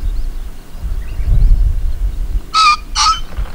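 Green Pheasant giving two loud, harsh, grating notes half a second apart, like 'kyong-kyong', after a stretch of low wind rumble.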